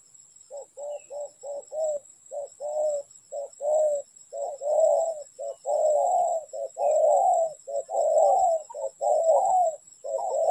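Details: Spotted dove heard in a trapping setting, giving loud low coos in quick succession, short notes and longer rolling ones strung together almost without pause for about ten seconds.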